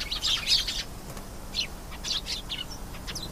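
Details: Canary singing: a dense burst of bright, high twittering notes in the first second, then scattered short chirps and brief trilled phrases over faint background hiss.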